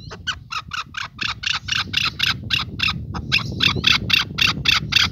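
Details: Male chukar partridge with a fast run of loud, rasping chuck notes, evenly spaced, over a steady low background rumble.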